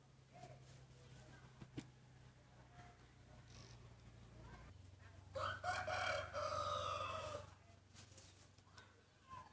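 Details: A breeding cock crows in a first-time rooster crowing contest; background hum and faint noises lead to a loud, gravelly two-second crow with a rising middle part, then quieter farmyard sounds.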